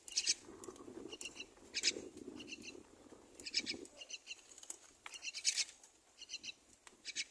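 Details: Mother myna feeds two babies on the nest, with shrill, harsh squeaks repeated in short clustered bursts roughly every second, loud and high-pitched, while a low murmur fades out midway.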